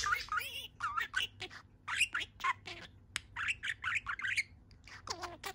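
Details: Happy pet budgerigar standing on one leg, talking away indoors: fast mix of warbled, slurred notes, squawks and clicks, some rising and falling like speech-like babble.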